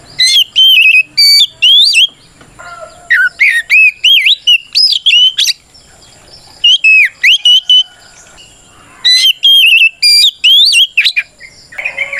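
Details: Oriental magpie-robin singing in fighting mode, a provocation song meant to goad other males into answering: loud whistled phrases with sweeping up-and-down notes and sharp chirps, delivered in bursts of about two seconds separated by short pauses.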